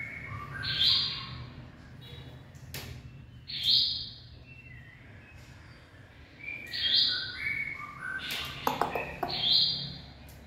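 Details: Late-afternoon singing of a purebred white-rumped shama on 18 February 2024: high whistled phrases about every three seconds, each with softer lower notes before it, set against background noise and occasional sharp clicks.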